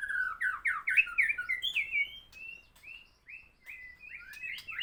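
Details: After moulting, a white-rumped shama sings loud slurred whistles at first, then slower, clear rising and falling whistled notes spaced apart.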